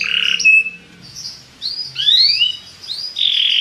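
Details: Belgian canary song played to liven up other birds: scattered phrases with a short bright whistle, pauses, then clear upward-sweeping slurred notes and a buzzy note closing the passage.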